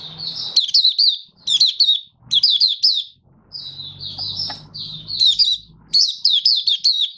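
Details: Malaysian mata puteh, an oriental white-eye kept for song and being built into form, sings phrase after phrase of quick, high, jittery chirps, with one smoother drawn-out warble mid-way; faint low hum behind.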